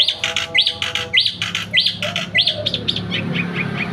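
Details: Javan white starling in full song just after a bath, giving a quick series of five or six arched, whistled notes at a high pitch, each about half a second apart, then softer trailing notes, with a low hum behind.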